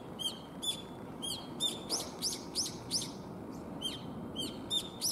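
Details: Calling contest of young brown-eared bulbuls, spring into summer: rapid series of sharp, high, squeaky downslurred notes, roughly three per second, overlapping as several birds answer each other, with steady low background noise.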